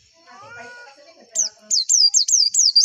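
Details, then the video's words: White-eye (pleci) song used as a lure to get contest birds singing: after a second of faint background sounds, rapid high slurred notes rise and fall in a quick repeated series, bright and chattering. "PANCINGAN PLECI AGAR CEPET BUKA PARUH"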